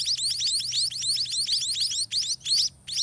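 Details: White-rumped munia chicks begging in the nest while a parent feeds them by regurgitating food; rapid high-pitched squeaky chirps, each sharply rising then falling, packed densely together with brief gaps near the end.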